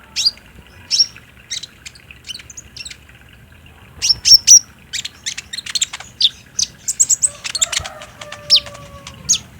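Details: High-pitched sunbird chirping used as daytime bait so a caged bird will answer: short sharp tweets in loose bursts, a quick cluster around the midpoint, and faint lower drawn-out tones underneath near the end.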